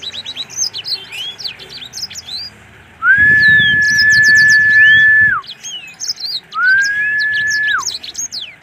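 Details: Black-throated canary kept at a bird farm in full song, a busy stream of high twittering chirps and slurred notes. Two long, flat whistled tones cut in loudly, the first with low rumbling noise beneath it.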